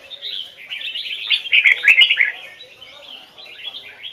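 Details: Red-whiskered bulbul used for song training, delivering double-note Hoài Sơn forest style song: a quieter start building to a loud burst of rich, rolling whistled notes around the middle, then softer warbling.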